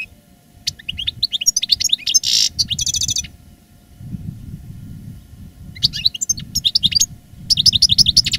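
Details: Master reclamo-style goldfinch, a caged veteran singing strongly after its 2017 moult: bursts of rapid high tinkling twitters with a harsh buzzy trill, a pause of several seconds, then more liquid twittered phrases over faint low hum.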